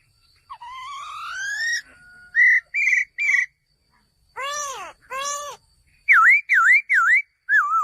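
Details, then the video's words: Male laughingthrush giving varied whistled calls: a long rising note, short bright notes, two arching harmonic whistles, then a quick series of V-shaped whistles and a final falling note. "#เสียงนกกระรางตัวผู้ #ສຽງນົກຖົ່ວດຳໂຕຜູ້"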